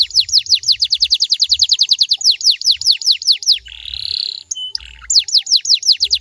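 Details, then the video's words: Canary song played to get other canaries to sing back: a fast run of bright, downward-sweeping whistled notes, then a brief buzzy rattle, then the sweeping notes resume; faint low hum underneath. "DI JAMIN KENARIMU BAKAL IKUT NYAUT KALO DENGERIN SUARA INI"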